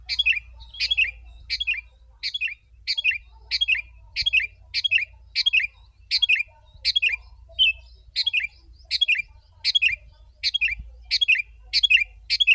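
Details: Sooty-headed bulbul singing nonstop to attract wild birds: a long even series of sharp, bubbly descending phrases, roughly one every 0.7 seconds, with a low steady hum underneath.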